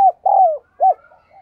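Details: Spotted dove used as a lure bird to stimulate and excite males, giving low cooing notes: a short coo, a longer falling coo, then a brief arched coo followed by soft trailing murmurs; no other sounds.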